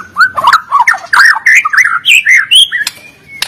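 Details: Medan white-rumped shama singing energetically in fighter style, a recording meant to stir reluctant birds to sing: dense sequence of clear whistles, rising and falling slurs and short rasping notes, delivered without pause.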